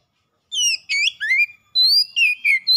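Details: Oriental magpie-robin kept as a pet, in a lure recording used to start a silent bird singing. After a brief silence, a short energetic string of loud, clear whistles follows, some upslurred and some downslurred, delivered rapidly.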